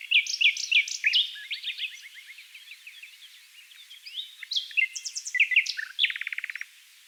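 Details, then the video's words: Close-up Common Nightingale in a Dutch dune valley near Oostkapelle: loud slurred whistles, a run of quick repeated notes, varied twittering, then a rapid buzzy rattle of evenly spaced notes, with other nightingales behind. "Gorgeous nightingale song choir (Luscinia megarhynchos)"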